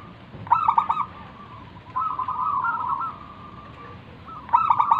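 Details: Singing local zebra dove, a lure to entice other doves to reply: stammering onset notes, a long warbling cooing roll, then another stuttered phrase begins; steady background hiss.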